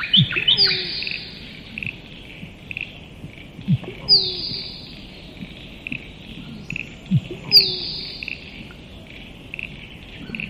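A musk duck gives a deep thump followed by a sharp, falling whistle, repeated about every three and a half seconds, over a steady, soft ticking chorus.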